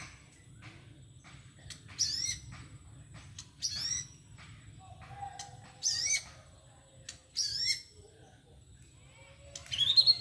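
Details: Caged white-rumped shama in molt, singing in the 'batuk kerikil' and 'muntah koral' styles: sparse bursts of sharp, high sweeping notes every one to two seconds, separated by quiet gaps with low background hum.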